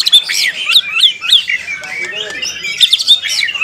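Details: White-rumped shama singing at a songbird contest: a rapid, varied run of high whistled and chirped phrases, sharp rising and falling notes tumbling quickly one after another, with faint lower chatter and crowd noise behind.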